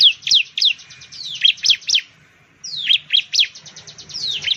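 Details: Bar-winged prinia, known in Indonesia as ciblek or perenjak jawa, a loud songbird of plantations, rice fields and villages, singing rapid bursts of high, sharply descending slurred notes over a buzzy trill, pausing briefly mid-phrase.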